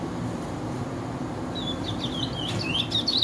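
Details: Chestnut-bellied seed finch (curió), white-bearded type, singing: after a quiet start, a run of clear whistled notes and quick slurred rising-and-falling phrases begins midway and grows louder toward the end, over a low steady background hum.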